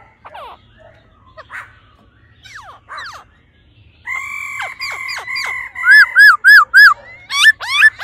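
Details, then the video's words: ["A female laughingthrush gives 'ro ro' calls to excite the male. Soft scattered notes give way to flat, buzzy harmonic notes, then a quick, regular series of loud hooked whistles repeated several times per second."] "khướu mái ro ro kích trống nhanh căng lửa"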